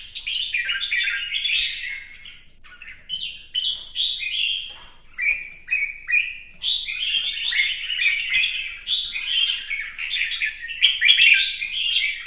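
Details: Competition singing from a red-whiskered bulbul in fresh plumage, dancing with fanned feathers: a continuous stream of quick, sweet, slurred whistled phrases, repeated with short breaks over twelve seconds, loud and clear indoors.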